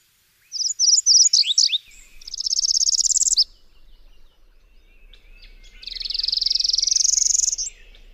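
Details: Subalpine warbler (Sylvia cantillans) song mixing a jumble of quick twittering notes with two long, dry buzzing rattles, each lasting about a second and a half and rising slightly in pitch.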